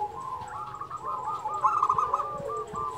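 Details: Local zebra dove singing, a song for training and stimulating other doves: a continuous, slightly ragged stream of rapid coo notes, loudest in the middle, over steady low noise.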